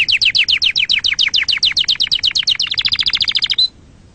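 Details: Canary song for teaching young canaries: a rapid chain of sharply falling high notes, about eight per second, switching to a faster tighter series before ending on a short whistle.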